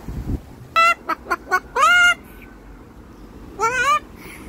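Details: Pet Moluccan cockatoo on a walk, greeting neighbours on an upstairs balcony with a cheerful bok bok: loud harmonic squawks, three short clipped notes then a longer arched one, and a final squawk, with a person's voice nearby.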